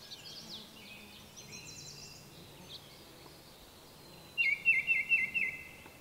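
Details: Baltimore Oriole: faint high twitters and thin whistles at first, then a loud, quick series of five down-slurred whistled notes near the end.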